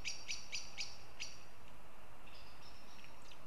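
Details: Goshawk from Riga, Latvia, uttering four quick, harsh notes and then one more after a slight gap, followed by fainter thin calls in the distance against steady noise.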